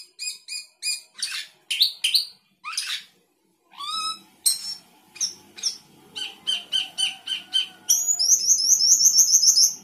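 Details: Sooty-headed bulbul singing 'gacor isian' with many fill-in phrases. Rapid stacked chips and slurred notes come about three per second, with a mewing phrase and raspy bursts, building to a continuous high rolling trill.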